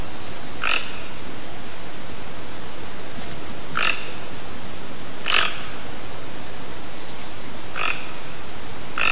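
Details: Toco toucan calling in nature: short, hoarse, croaking notes spaced about one and a half to three seconds apart, over a steady high, thin, insect-like hum.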